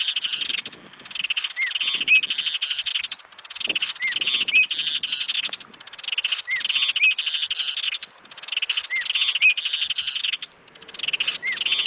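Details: An Apolinar's Wren of the subspecies hernandezi, recorded in May in the Sumapaz Páramo, Eastern Andes, Colombia, sings harsh, dry, buzzy chattering phrases with brief whistled upslurs about every 2.5 seconds, with short quiet gaps between.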